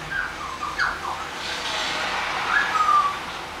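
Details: A 12-month-old eclectus parrot gives a few short, slurred whistled notes, then a longer steady whistle that dips at the end, over a soft indoor hiss.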